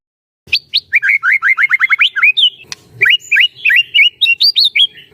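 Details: Trainer song of a caged white-rumped shama meant to excite other shamas into singing: fast runs of sharp, downslurred whistled notes, a short pause, then another quick string of bright chips and upward flicks.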